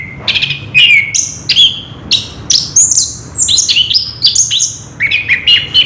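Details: Orange-headed thrush delivering loud clear song: sweet whistled notes and quick slurs alternating high and low, phrases in rapid bursts about every half second, little background noise.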